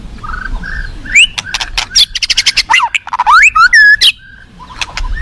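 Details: A forest white-rumped shama sings a rapid stuttering run of clicks mixed with upswept whistles, ending on a clear falling note before a short pause and a soft closing phrase.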